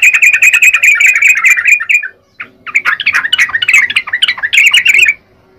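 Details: Yellow-vented bulbul chattering gacor-style in two bursts of rapid, buzzy-edged chirps around one steady pitch, separated by a short silence, ending abruptly.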